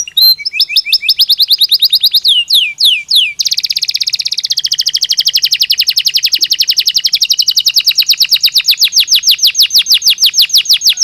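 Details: Belgian canary in natural song, used to stimulate and train other canaries: a few bright falling whistles lead into a long fast rolling trill of repeated rapid notes, sustained for several seconds, loud and clear.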